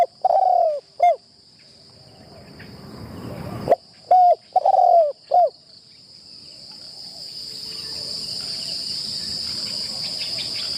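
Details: A decoy spotted dove on its first training outing at a trapping enclosure gives soft hollow coos. One phrase comes at the start and another of three to four notes follows near four seconds. Then a rising rushing noise and a constant high-pitched insect drone take over.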